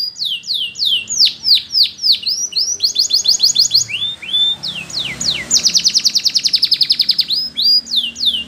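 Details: Spanish Timbrado canary song for training canaries to sing: loud repeated downslurred whistles, then a long, very fast metallic trill, over a soft low background rumble.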